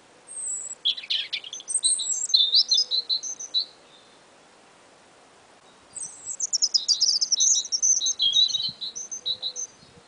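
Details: Two small birds singing together in early spring, perhaps competing: two bursts of high, fast twittering song made of sweet whistles, trills and warbled notes, separated by a short quiet gap.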